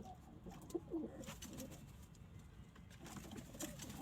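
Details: Kept domestic pigeons cooing, low soft rolling notes in the first second and again near the end, with clatter and rustling noises between.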